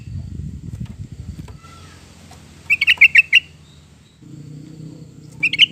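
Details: Yellow-vented bulbul lure recording for pet birds: after low rumbling noise, a quick chattering burst of five bright notes, then quiet, and a final short phrase beginning at the end.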